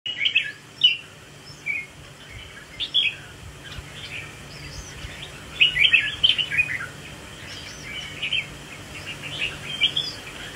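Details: Red-whiskered bulbul performing a swaying display. Short, bright warbled phrases come in scattered bursts across ten seconds, with the loudest near the start and the middle, separated by quiet gaps over a soft background hum.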